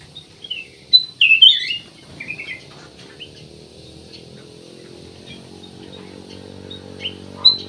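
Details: Kutilang emas, the black-naped oriole, singing as a lure to get other birds singing: a brief cluster of loud whistled, swooping notes early on, then mostly quiet hum with a single faint note at the end.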